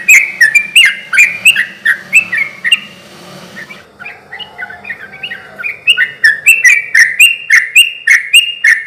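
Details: Persistent sooty-headed bulbul song used to provoke rival bulbuls into singing back: quick chattering, warbling phrases with crisp clicks, dropping to softer, quieter notes for a second in the middle before resuming.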